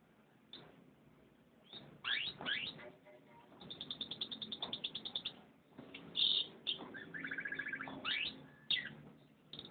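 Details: Canary singing: rising sweeps, then a long rapid trill of evenly repeated notes, followed by a warbled flourish, a fast rattling roll and more upward-swooping chirps.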